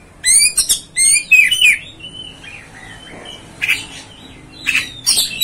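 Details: Oriental magpie-robin (kacer) singing to provoke other kacer: loud bursts of sharp downslurred whistles and high buzzy notes, a pause with soft thin whistles, then two more brief harsh bursts.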